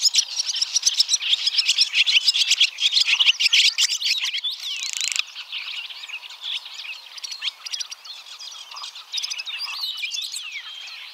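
Barn Swallows in a fast, busy twittering chorus of high chirps, squeaky notes and short warbles, loud at first, then thinning to scattered chatter.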